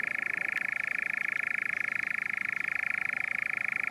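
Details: A European nightjar (Caprimulgus europaeus) churrs without a break at the Kaaistoep, Tilburg, Netherlands, on 7 June 2018, a dry, mechanical, rapidly pulsing trill held at one steady pitch.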